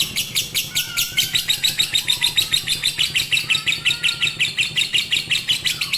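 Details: Lovebird singing in the fighter or konslet style, used as a master to get lazy birds singing: a steady stream of harsh, high chattering chirps, about three to four per second, with faint lower whistles underneath.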